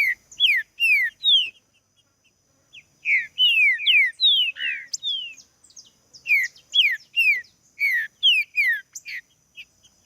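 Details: Green-winged saltator song used to get other saltators singing: loud bursts of clear, descending whistled slurs in quick phrases of three to five notes, separated by brief pauses, with no other sounds.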